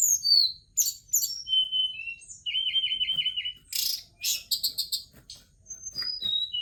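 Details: Tledekan gunung, a forktail, with a rich high song: downslurred whistles, a steady run of six repeated notes, harsh rasping bursts and a stuttering series of clipped chirps.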